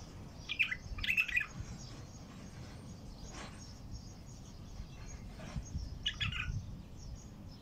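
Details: A bulbul with a heavy, deep throat sings in the wild: two short bursts of rich, bubbling whistled notes, one near the start and one near the end, over a steady low rumble.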